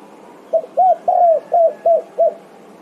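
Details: Spotted dove (tekukur) calling its companions: six low, soft coos over about two seconds, a short lead note, a longer falling coo, then evenly paced shorter hoots; low background hiss.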